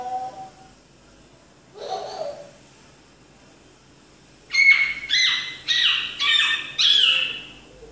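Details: African grey parrot mimicking sound effects: a soft whistle, a short squealing burst near two seconds, then four loud, descending electronic-like sweeps in quick succession, each about half a second apart, against a quiet background.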